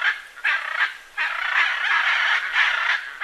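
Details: Macaw giving harsh, raspy squawks in bursts of about half a second, four loud calls separated by short gaps, with a noisy, grating tone throughout.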